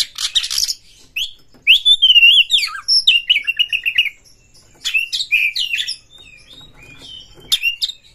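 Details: Aroused white-rumped shama seeking a rival to fight, singing a harsh buzzy burst, then fluid whistled notes leading into a fast repeated trill, followed by scratchy twitters and a thin high whistle.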